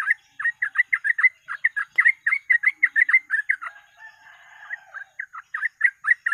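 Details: Fast, chattering yellow-vented bulbul song for luring birds: rapid bubbling notes in quick succession, a brief softer rasping gap near the middle, then the lively run picks up again, with a faint steady high tone throughout.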